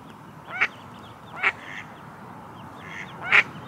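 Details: Mother duck at Lake Padden, reunited with her ducklings and quacking as if calling them over: three short, harsh quacks at uneven intervals, with faint higher notes between them and steady outdoor background noise.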